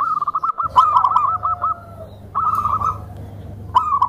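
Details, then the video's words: Tame zebra dove used as a lure and trainer for other zebra doves; clipped, bubbling coo phrases in quick succession, a long run then two brief ones, over a steady low hum. "SUARA PERKUTUT JINAK, LEMBUT, DAN MEMANCING PERKUTUT LAINNYA"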